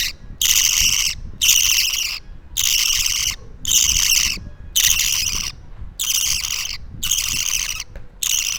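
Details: Two-week-old pet parakeet chick calling in rhythmic harsh buzzing rasps, roughly one per second, fairly even in length and loudness, with little other sound.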